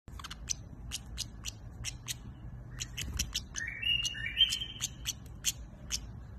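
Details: European goldfinch singing: a run of rapid dry clicking chips, then bright liquid twittering notes and short rising whistles, over a steady low background hum.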